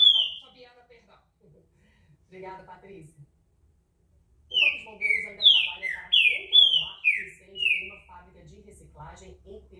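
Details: Rich whistled song of a green-winged saltator (pixarro, trinca-ferro): one opening note, then a quick series of about seven bright falling whistles, with brief muffled voices in the quiet gap between.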